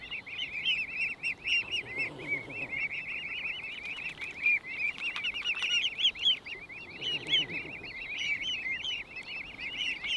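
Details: A family of mute swans moving through water feeding in late May 2023; the cygnets cheep in a steady overlapping chorus of high, thin peeps, far higher than the parents' honks, several calling at once.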